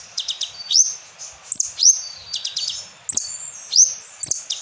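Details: Asian glossy starling singing a lure song stuffed with kapas tembak phrases: short staccato ticks, then bright rising whistles and smeared buzzy notes, repeated at an uneven pace.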